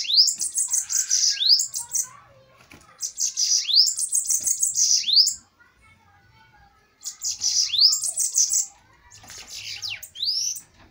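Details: Bananaquit song duel: bursts of high, buzzy, wheezing trills with quick rising upslurs, given in groups separated by a pause of about two seconds, with a man speaking briefly at the end.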